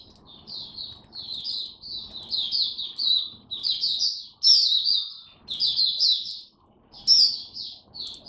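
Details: Oriental white-eye, a kept hobby bird, singing a lively song: bursts of rapid, high, chattering twitters and warbles, each about a second long with short pauses between them, going on steadily over a quiet background.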